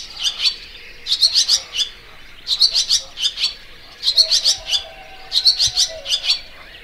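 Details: Barn swallow (Layang2 Asia) giving high, sharp chirps grouped into quick bursts of four to six notes, separated by pauses of about a second, over a faint steady hum.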